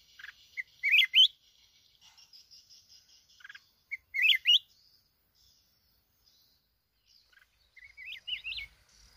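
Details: Newly caught wild red-whiskered bulbul (chào mào núi), Bình Thuận, Vietnam, repeats a quick whistled warble three times over nine seconds, each phrase of rising slurred notes, the last one softer and more drawn out.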